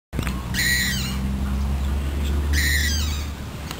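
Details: Australian butcherbird giving two rich, harmonic notes about two seconds apart, each a brief falling phrase, over a steady low hum throughout.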